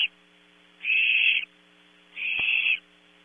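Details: At night in a Starr Ranch nest cavity in California, young barn owls vie for a 0300 prey delivery: two drawn-out breathy hisses of roughly 0.6 seconds, separated by a gap, over a constant low hum and a single click.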